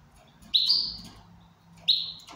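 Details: Goldfinch, described as in good condition, giving two loud, buzzy, slightly falling high notes about 1.3 seconds apart, each lasting roughly a third of a second, over faint low background hum.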